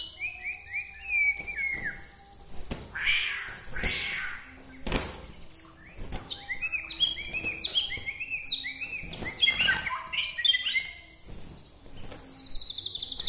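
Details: White-rumped shama from Bahorok, Medan, singing to stir up other shamas: varied sweet whistled phrases of short downslurred and upslurred notes in quick clusters, broken by loud knocking thumps and a few harsh scratchy sounds.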